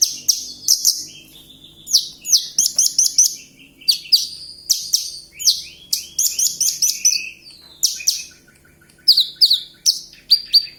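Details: Javan bush lark in a lively, continuous song: rapid buzzy trills and sharp downslurred whistles in quick bursts, with brief pauses between phrases.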